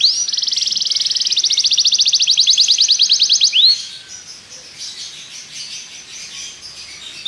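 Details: Belgian canary singing to train other canaries: a long, fast, regular trill of sharp high notes, ending with one rising whistle, followed by softer, fainter twittering.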